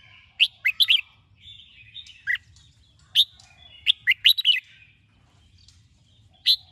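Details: Red-whiskered bulbul morning song in the chè style, used to train and stir up other bulbuls: short bright chirpy notes and quick slurred two- and three-note bursts, with brief pauses between phrases and a faint low hum beneath.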